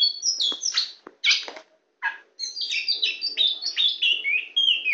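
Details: White-rumped shama, very tame, singing from a hand: a few sharp chips, then a rapid run of bright, varied whistled notes sliding up and down.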